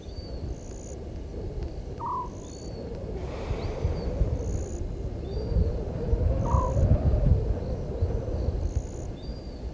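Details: Southern white-faced owl calling at night near 00:40 on 17 November 2019 at Gowrie dam waterhole, Djuma Game Reserve, Sabi Sand Wildtuin, South Africa; two short, slightly falling mid-pitched hoots about four seconds apart, over deep rumbling background and steady high insect pulses.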